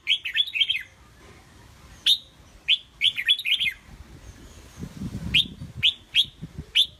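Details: Competition-bred caged red-whiskered bulbul delivering rapid clusters of bright, piping notes, each sweeping up then dropping, in quick runs of three to four, later single spaced chirps, with a soft low rustle midway.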